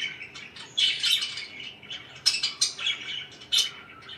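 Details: Pet budgerigars chirping indoors: bursts of bright, scratchy high chatter with sharp squeaky notes, separated by short quieter gaps, several birds overlapping.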